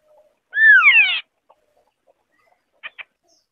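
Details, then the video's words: White-browed scimitar babbler singing: a loud pair of rich, overlapping whistled notes sliding downward, lasting under a second, followed by two short soft clicks; otherwise quiet background. "Tiếng chim Họa mi đất mày trắng ✅White-browed Scimitar-Babbler (Pomatorhinus schisticeps) singing"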